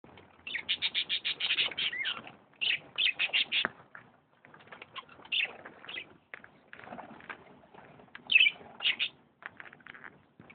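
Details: A canary in Misiones sings bright, high trilled phrases of rapid repeated notes, each burst about a second long with short pauses between them; faint chirps fill the gaps.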